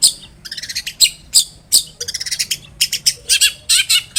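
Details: Long-tailed shrike in full, vigorous song, used as a lure to make another shrike answer: rapid bursts of harsh, scratchy, chattering notes, about fifteen short high phrases packed into four seconds, with a faint low hum beneath.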